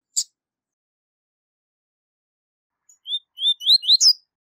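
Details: Tui tui zel zel song from a rusty-collared seedeater, for training young birds: a sharp click, a long pause, then rising whistled notes speeding into a short buzzy ending.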